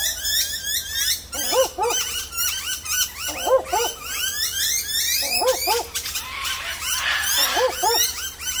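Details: A barking owl, hidden high in dense leaves, barks for a long time during the day at Warriewood, Sydney, Australia, apparently calling for a mate: a doubled dog-like woof-woof every two seconds or so, over chirping bell miners and other birds.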